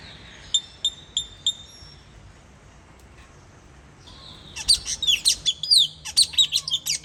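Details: Puling bird calling, a sound used to lure birds: a few spaced, sharp high chirps in the first two seconds, a quiet pause, then a dense burst of squeaky, metallic chirps and rising whistles from about four and a half seconds on.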